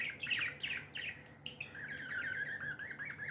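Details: Happy budgies chirping in a brief muffled clip: a few bright chirps, then continuous low warbling chatter with room hum.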